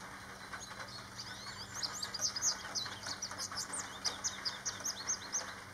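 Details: Goldfinch singing in the rain on 21 April 2020, a male singing for a while: high twittering, rapid varied chirps and short sweeps, rather faint above the steady hiss of rainfall.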